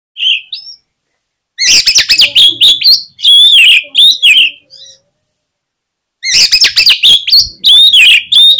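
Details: Oriental magpie-robin song used to provoke other birds into singing: loud, rapid bursts of varied whistles, sharp chirps and buzzy notes, high-pitched and dense, delivered in two long phrases separated by a pause.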